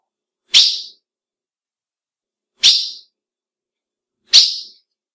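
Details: Sharp, high chip notes repeated three times at intervals of about two seconds, given by a female ultramarine grosbeak to excite males; quiet background.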